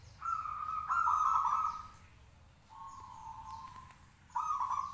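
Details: Local caged zebra dove singing actively to prompt others to answer, giving a loud rippling coo, a softer steady trill, then a fresh bubbling phrase.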